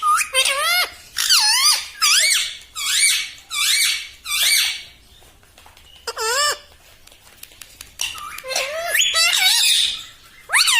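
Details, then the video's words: Green ringneck parrot kept as a pet, talking indoors: a run of about nine short, harmonic, wavering syllables in rhythmic bursts, a pause, then several more squeaky phrases. "TALKING PARROT - MITTHU MITTHU - MUMMY BOLNE WALA TOTA - मे तोता में तोता है मिट्ठू मिट्ठू"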